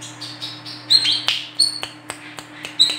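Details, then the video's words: Female olive-backed sunbird, kept as lure sound for birds: scattered thin high chirps and short sharp ticks, fairly sparse, over steady background hum. "WICEH BETINA GACOR COCOK UNTUK PANCINGAN KOLIBRI KELAPA"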